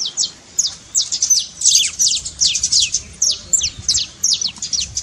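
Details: Saffron finch song in the trincado style, used to stir a quiet bird into singing: rapid high chirps and steep downward-sweeping notes in quick bursts, with short gaps between phrases.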